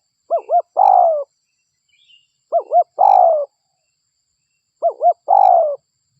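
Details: Three evenly spaced phrases from a local spotted dove used as a lure, each two bouncy short notes then a long descending coo, roughly every two and a half seconds, with faint high chirps.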